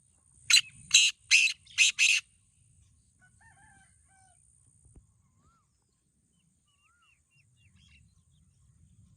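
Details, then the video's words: Black francolin, called kala teetar, competing in a two-bird calling contest: an opening burst of five harsh rasping notes, then quieter moments with faint thin whistles from other birds. "Black Teetar Voice"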